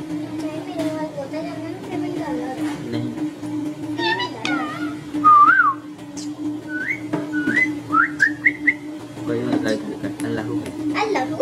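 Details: Pet Indian ringneck parakeet whistling indoors: short bright whistled notes that rise and fall, several quick upslurred phrases in a row, over a steady low hum and faint background noise.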